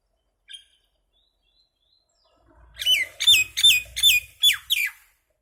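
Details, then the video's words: Common myna calling: after a faint note, a rapid series of six harsh, descending whistled notes with buzzy overtones, repeated about every third of a second. "Mynah Bird (Acridotheres tristis), Little Mynah Bird making Noise"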